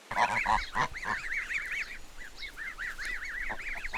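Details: Farm goose: a few deep, nasal honks at the start, then a fast chain of short, arched, higher-pitched honking notes repeated several times a second.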